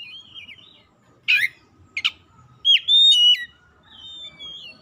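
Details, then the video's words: Oriental magpie-robin song, a lure to make mute, sluggish magpie-robins sing: a wavering whistle, two sharp rasping bursts, then loud clear whistled notes and a soft trailing whistle. "PANCINGAN KACER LELET BISU | PASTI AKAN IKUT GACOR NGEPLONG GACOR"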